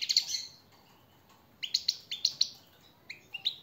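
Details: Goldfinch motivating song used to teach caged birds: an opening burst of liquid twittering, a pause of over a second, then a run of sharp, clipped chirps, each quickly followed by the next, ending in scattered notes.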